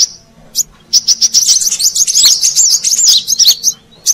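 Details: Brown-throated sunbird sound used to attract wild birds, starting with a few isolated high chirps, then an accelerating string of sharp whistled notes and fast twitters.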